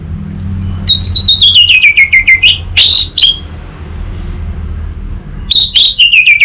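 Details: Untrained orange-headed thrush singing as a lure and tutor bird: a rapid series of loud whistled notes sliding steadily downward, a short pause with two strong notes, then another fast descending run at the end over faint low hum.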